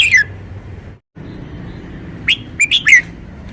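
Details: Caged red-whiskered bulbul showing off its song phrasing: a short sliding whistle, then after a pause three quick clear whistled notes dropping in pitch, over steady background hiss.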